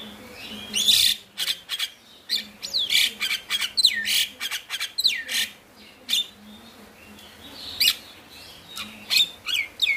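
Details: Male Javan myna in loud gacor song, played as masteran to get reluctant mynas singing: continuous harsh rasping bursts, clicks and swooping squeals in rapid irregular succession.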